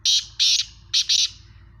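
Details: Kala teetar (black francolin) calling with four loud, harsh, scratchy bursts arranged as two pairs, each note grating and high-pitched, with a steady low hum underneath.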